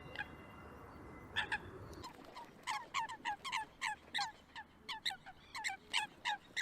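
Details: A few Eurasian coots at a local pond in Perth, Scotland, in January, giving a rapid series of sharp clicking notes, roughly three per second, after a brief low rumble at the start.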